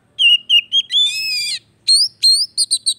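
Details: Oriental magpie-robin song played to stimulate a bird that has stopped singing: clear whistled phrases, a long sustained rich note, then bright rising whistles and a quick run of short high notes.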